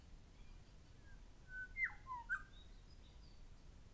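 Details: One of a Grey shrike-thrush pair calling gives a few rich, clear whistled notes, sliding up and down around the middle of the clip, with faint distant chatter, with Rainbow Lorikeets nearby.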